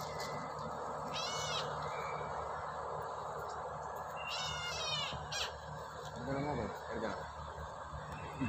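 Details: Brahminy kite, apparently while eating, possibly at a zoo, gives two hoarse, wavering mewing cries about a second each, over steady background hiss, with a person speaking briefly near the end.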